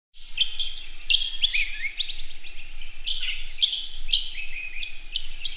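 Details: A male red-capped robin courting a female gives a quick run of high, dry trilling notes, repeated in bursts about every half second, with faint low background rumble.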